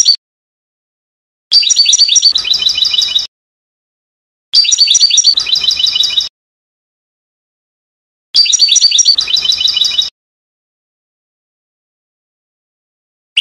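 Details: Goldfinch singing a Trnan-style song from a 2020 CD: three separate bursts of quick, chattering twitters and jingling trills, each about 1.7 seconds long, divided by roughly two-second silences.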